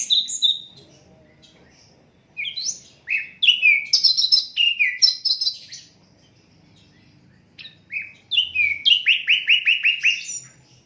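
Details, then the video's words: Asian brown flycatcher song, unedited, a tutor for other songbirds: varied phrases of high chips and downward-slurred whistles, a pause, then a fast rattling series of about ten falling notes. "Sikatan londo durasi 15 menit, Reall No editan, cocok buat masteran semua burung"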